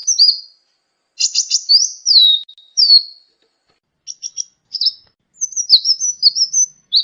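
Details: Sunbird song as a master tape for teaching songbirds: varied high whistles sliding downward, brief buzzy bursts, then a quick jumble of twittering notes.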